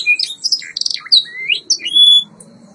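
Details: White Yorkshire canary singing on a training recording: a short burst of varied high chirps and buzzy notes, then rising slurred whistles ending in a clear sustained high whistle, over faint low background hum.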